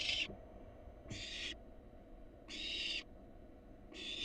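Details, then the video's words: Wild barn owl fledgling at a monitored nest box, being delivered a rat: harsh, hissing screeches about half a second long, repeated roughly every 1.3 seconds, with a low background hum. "Barn owl fledgling gets delivered a rat."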